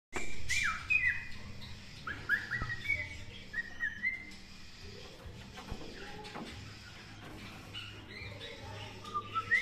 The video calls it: Cockatiel singing HAPPY BIRTH DAY